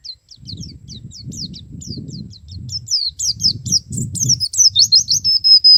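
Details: Male white-eye (pleci) singing in the ngalas and nembak styles: rapid, thin, high chirps repeated quickly, growing louder and denser into a sharp burst, then ending on a sustained steady whistle, over a low rumbling background noise.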